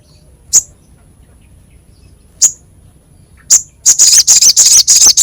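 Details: Crescent-chested babbler in a masteran for training songbirds, voice rough and sharp: three isolated high chip notes spaced a second or two apart, then a fast burst of harsh, buzzy high notes.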